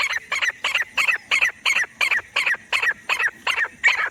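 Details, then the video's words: Teetar francolin calling in jungle for hunting use: a steady, even series of loud, grating, buzzy notes, roughly three per second, over a quiet background. "francolin calling voice jungle,teetar Shikari sounds"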